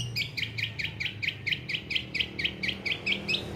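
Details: Long-tailed shrike imitating a lovebird, giving a steady series of bright, high, shrill chirps, about three or four per second, evenly repeated with faint low hum behind.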